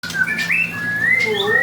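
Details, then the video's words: White-rumped shama of the 'panda' type, singing actively, gives long clear whistled notes that hold steady, slide upward and then flatten, with one lower whistle near the end and a faint hum underneath. "murai batu panda gacor"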